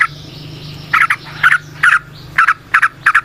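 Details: Natural-sound recording of a wild yellow-vented bulbul (trucukan), meant as a lure. Quick doubled chirps repeat about twice a second after a brief quiet start, over a faint low hum.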